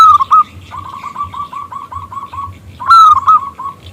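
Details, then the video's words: A local zebra dove with a strong, clear voice calling to a male: loud opening notes, then a steady run of around ten short coos, then another loud rising phrase with a few more clipped coos. "PERKUTUT lokal Gacor Suara BESAR Kristal Memanggil JANTAN ngajak BUNYI"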